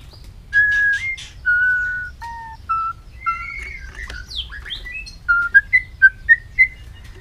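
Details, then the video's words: White-rumped shama in a many-voiced song: clear, steady whistled notes at varying pitches, then a run of short, quick rising whistles near the end. The background is quiet. "chòe lửa hót giọng dây dài"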